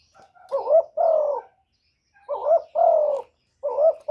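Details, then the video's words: Spotted dove calling, used to lure wild doves: low, mellow cooing phrases, each a short wavering coo followed by a longer, slightly falling coo, with about a second of silence between phrases; the third phrase is cut off at the end. "CU GÙ CỰC SUNG BÀI BẢN DÙNG ĐỂ MỞ KÍCH CHIM BỔI, TERKUKUR, Tiếng chim cu, cu gáy kích bổi"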